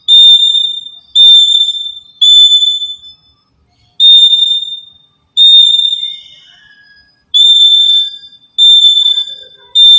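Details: Piercing, pure, level whistles from a black-capped lory used to lure birds for trapping. There are eight notes of about a second each, some close together and some after longer pauses, with a soft lower whistle trailing one note.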